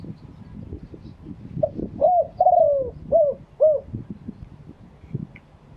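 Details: Spotted dove cooing live in genuine wild style: a short run of mellow, mid-pitched coo notes, the longest one drawn out and gently falling, over a low rumbling background.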